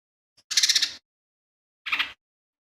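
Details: Two quick rasping phrases from a lesser green leafbird, a pulsed buzzy burst of about half a second followed after a pause by a shorter harsh note, from a song stuffed with imitations of sparrow, kingfisher and cililin.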